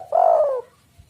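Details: Single drawn-out spotted dove coo from a lure recording meant to set other doves calling, a smooth low note sliding gently downward for about half a second.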